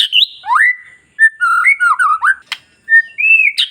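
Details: Long-tailed white-rumped shama song, used as a lure to excite other shamas: a high twist, then a rising swoop and a string of warbled slurred whistles, a sharp click, and an arched clear whistle leading into a loud high flourish.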